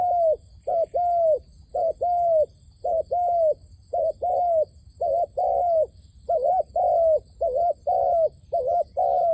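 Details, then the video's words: Wild doves are lured toward a trap by a calling decoy dove. A long unbroken run of low coos in pairs, short then sustained and gently falling, is repeated steadily, roughly one pair per second. "ឱ្យតែជួបលលកព្រៃ ធ្នាក់ហៅបរសឹងដាច់ខ្យល់"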